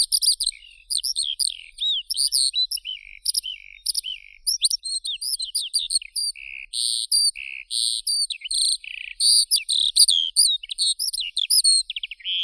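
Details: Eurasian skylark singing a long, continuous rapid stream of high warbled and chirped notes, with quick rising and falling slurs and short buzzy trills, barely pausing throughout; no other sounds.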